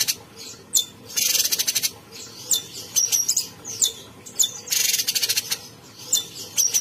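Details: Bulbul, locally cucak cungkok, singing without pause: repeated buzzy rattling bursts mixed with high thin whistles and clipped chirps.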